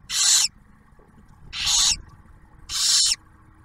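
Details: Three long, harsh screechy hisses, evenly spaced, from barn owls at a nest near Oak Harbor, Ohio, where the male brings food and the female feeds the first-hatched owlet.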